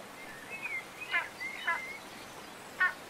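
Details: Spanish imperial eagle recorded in Toledo province, Spain, in December 2019: thin wavering whistles interrupted by short harsh barking notes, set against steady outdoor background noise.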